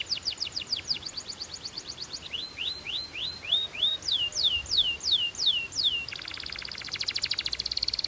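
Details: Belgian canary song meant to warm up other canaries and fire up females; fast trill of steep downslurs, then slower looping whistled notes, ending in a very rapid rattling trill.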